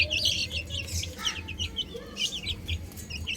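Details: High, sharp peeps from a group of chicks playing on a roof come in fast clusters, with a soft low rumble running underneath.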